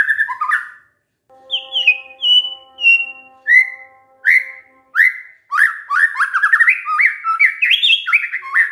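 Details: Lure song of a White-rumped shama, meant to make other shamas respond. Clear, separate whistled notes, some falling and some rising, speed up into a dense run of warbled phrases, over a faint steady hum.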